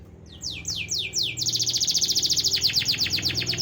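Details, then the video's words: Canary song meant to prompt lazy birds to sing: four slow descending whistled slurs, then a loud, dense rolling trill of rapid repeated notes continuing to the end, over a low steady hum. "Pancingan suara kenari malas bunyi"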